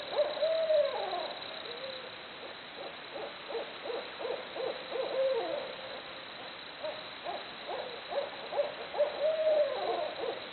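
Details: Barred owls hooting away in an excited chorus: bursts of quick, uneven hoots with a few drawn-out, wavering notes that swoop down, separated by short pauses, against faint constant hiss.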